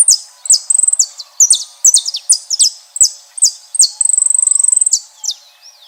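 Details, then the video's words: Saffron finches singing outdoors in nature: high, bright chirps sliding downward, broken by fast buzzy trills of rapidly repeated notes, including a long trill near the end; the song runs almost continuously with a faint steady hum beneath. "Belos canários da terra na natureza cantando"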